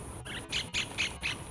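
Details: A solitary White-throated Kingfisher at 8:30am on 5 March 2019 gives a quick 'ki-ki-ki' series of harsh, high notes, about four in a second and a half, over a faint outdoor background.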